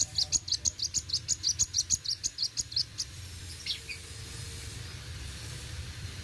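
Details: Sunbird delivering a fast, even series of high sharp chirps, roughly three per second for three seconds, then falling quiet apart from a faint distant note over low hum.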